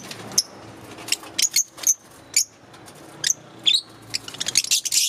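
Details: Several green Fischer's lovebirds chirping busily: quick shrill high chips, some short whistled notes, building to a dense burst of rapid squeaky chirps at the end.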